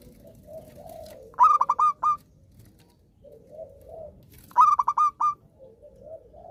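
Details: Eagerly singing zebra dove, used to prompt silent doves to sing: two phrases of quick, clipped, ringing notes about three seconds apart, with gentle lower coos before and between them.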